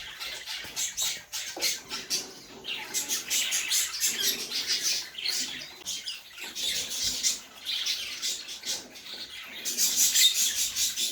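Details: Cockatiels in a home-bred breeding colony, with a bird sitting on eggs, keep up dense, scratchy high chirps and squawks with occasional wing flutters.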